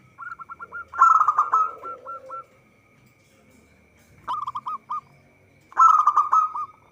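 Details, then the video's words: Lure recording of a vigorously singing local zebra dove for trapping; rapid staccato notes run into a loud rattling trill, a pause, another short burst of hooked coos, then a final loud trill; steady faint hum throughout. "Perkutut lokal gacor suara cocok untuk pancingan"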